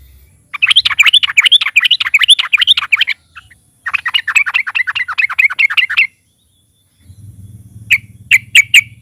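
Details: Yellow-vented bulbul (trucukan) in loud, energetic voice, played to stir other birds into singing. Two long runs of rapid, gurgling, rolling chatter are split by a brief pause. A few sharp clipped notes follow over a low background hum.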